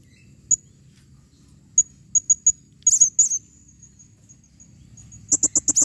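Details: High, thin squeaky notes from a calling female blue-crowned hanging parrot, spaced then clustered, finishing with a quick run of sharp clicking chips.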